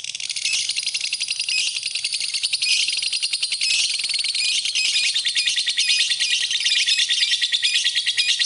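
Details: High, buzzy lovebird chattering from a tutor recording for training birds: fast pulsed chirps repeating in a dense, continuous stream, a little louder toward the end.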